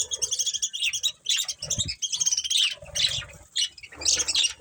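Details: Several domestic budgerigars chatter in quick, scratchy, warbling bursts mixed with sharper chirps, pausing briefly between phrases, over low soft knocks.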